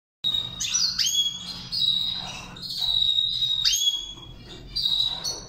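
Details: Goldfinch in training, singing in the Saira char chari style: long, steady, high whistled tones joined by sharp upward and downward slides and short twittering flourishes, with brief pauses between phrases over a faint low hum.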